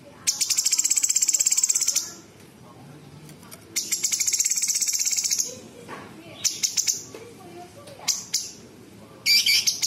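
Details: Gacor cucak cungkok bulbul delivering sharp tembakan, imitations of small and large birds and insects. Several bursts of rapid, high buzzy trills are separated by quieter gaps and scattered sharp chips.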